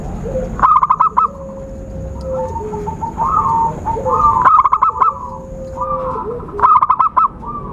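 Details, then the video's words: Zebra dove call used to attract birds for trapping: several quick, choppy trills of coos alternate with softer drawn-out notes, over a faint steady whistle and hiss. "Suara Khusus PIKAT burung Perkutut/Merbuk Paling Jitu"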